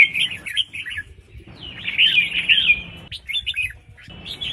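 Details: Red-whiskered bulbul female giving calls meant to excite males into singing. Short bursts of lively, slurred chirps come in three groups separated by brief gaps, with a light background hiss.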